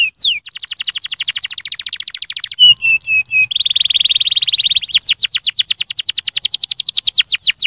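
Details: Canary song for stimulating singing opens with a fast, even buzzing roll at a steady pitch. A few flat whistles and a harsh buzzy stretch follow, then a rapid trill of falling notes.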